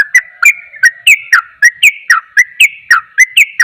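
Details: Fast ropel song of a sooty-headed bulbul, used to provoke rival bulbuls; crisp whistled notes with a click at each onset, delivered nearly four per second in a lively, slightly irregular beat.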